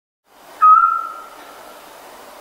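A scops owl gives a single clear, mid-pitched whistled note that holds steady and then fades, over a faint background hiss.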